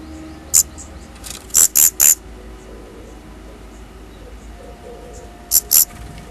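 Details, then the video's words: Daurian redstart fledglings leaving the nest for the first time utter short, piercing high notes, a single one, then three in quick succession, a long pause, and a final pair, over faint background hum. "Baby birds (Daurian Redstart) leaving the nest for the first time."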